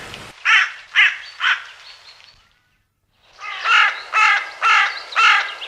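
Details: Common raven; two series of hoarse, rasping croaks, three then four in quick succession about half a second apart, separated by a short silence.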